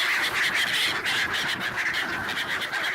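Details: A winter flock of black-headed gulls mobs people handing out bread at a swan site in Ibaraki, Japan, late December 2017; continuous loud, harsh, overlapping screeches from many birds, with no pause.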